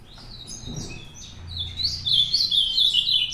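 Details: Ultramarine grosbeak heard in a singing challenge, giving a continuous, lively warbled song of rapid whistled notes sliding up and down, growing louder and denser toward the end, with a faint low hum beneath.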